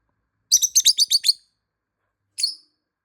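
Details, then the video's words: Lovebird calling to find a hidden bird: a rapid burst of six high, sharp chirps, then a single short chirp after a second's pause, in otherwise silent surroundings. "모란앵무새 소리#모란앵무새 호출#숨어있는 모란앵무새 찾기"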